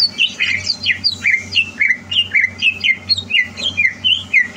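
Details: Greater green leafbird prepared for competition delivers a lively, steady stream of slurred whistled notes, roughly three to four per second, alternating rising and falling, with a low background hum.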